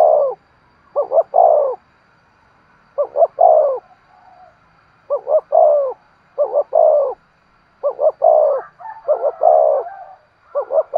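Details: Decoy spotted dove calling to attract wild doves, a run of cooing phrases, each two or three quick soft notes ending in a longer rolling coo, separated by short pauses, low pitched and clear against silence.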